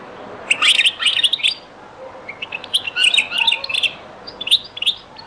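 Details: Algerian Beni Messous 'les avocats' zaboka style sung by a European goldfinch, from an old recording. Sharp, high chirps and tinkling trills come in two lively bursts with a quieter gap between them.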